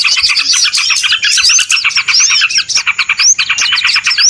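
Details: Lure recording used for trapping small birds: a noisy, dense chorus of overlapping high chirps, twitters and short rising whistles, almost continuous, with brief dips around the middle.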